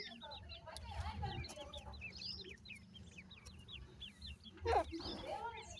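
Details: Grey francolin chicks being fed keep up quick, high, slurred peeps, each swooping up then down, above a steady low rumble, with a sharp knock near the end.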